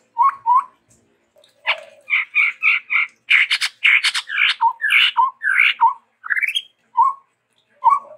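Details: ['Varied song of a Chestnut-rumped babbler from Sumatra: repeated two-part chirps, a dense run of loud harsh notes, then an upward-sweeping rising series and a few short low notes.']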